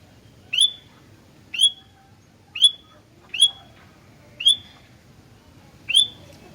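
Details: Sooty-headed bulbul (gentilang) singing energetically: six short, clear whistled notes repeated roughly once a second, each a sharp attack sliding into a brief level tone, over a quiet background.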